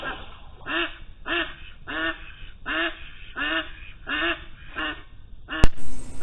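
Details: A nearly 6-month-old domestic duck trapped under a pond platform after heavy rain, spooked, gives loud, harsh quacks about every two-thirds of a second, eight in a row, then a sharp knock.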